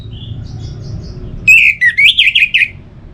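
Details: Caged orange-headed thrush from Bali, used as a singing stimulus; soft distant whistles, then a loud fast series of warbled, looping notes.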